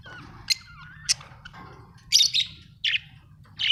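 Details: Home-kept budgies make short sharp peeps, then a string of harsh, buzzy chattering chirps, with soft warbled notes in the background.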